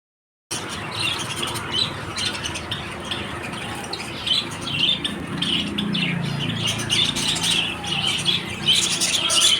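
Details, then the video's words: Lovebirds giving short, shrill chirps and squawks in irregular bursts over a steady rushing background noise, with the calling growing denser toward the end. "love birds"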